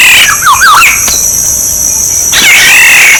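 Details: Black-naped oriole singing, used as a decoy call, in Thailand: liquid whistled phrases swooping between low and high notes, then a long wavering whistle, over a steady high electronic hum.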